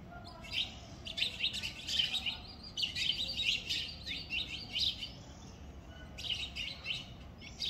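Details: House sparrows sheltered and fed at a house chatter in the morning, chirping in busy, overlapping bursts of short, bright notes that come in clusters about every second, over a faint low hum.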